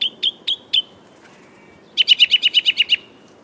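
A Northern Mockingbird sings four bright, evenly spaced notes. After a pause it switches to a fast run of about nine clipped, high chirps.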